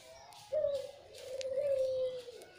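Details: White, red-eyed Barbary dove kept as a lure bird, giving a single drawn-out, slightly rolling coo held at a steady low pitch for nearly two seconds. Faint room noise and light clicks behind it.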